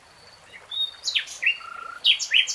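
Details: Common nightingale singing: scattered thin high whistles, then loud buzzy downslurred phrases and a level whistled note, ending in bright rising chirps.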